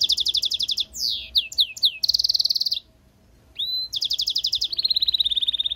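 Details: Goldfinch mule song made of fast repeated pulsed trills and dropping chirps. A short silence is followed by a rising whistle and a long, even, buzzy trill at the end.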